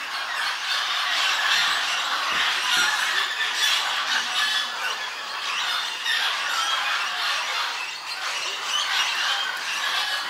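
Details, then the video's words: Parrots of three species come down to feed at a clay lick at Napo Wildlife Center, Ecuador, with a macaw among them: a dense, continuous chorus of harsh, screechy squawks and squeals from many birds at once, with no quiet gaps. "Parrot Clay Lick"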